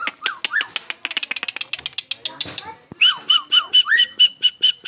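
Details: An Asian pied starling known to mimic coughing delivers rapid clicks and chatter, then a steady series of clear whistled notes alternating with falling slurs, repeated roughly twice a second.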